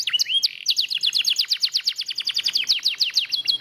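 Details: Singing lemon yellow canary: a quick rising whistle and a short buzz, then a long even run of high, clipped, descending chirps repeated about twice a second.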